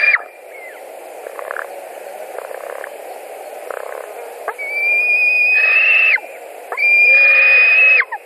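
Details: At a nest in Latvia on 16 July 2020, a White-tailed eagle parent arriving with fish. After faint background notes, two loud, long whistled calls follow, each rising briefly and then held steady, with a short pause between.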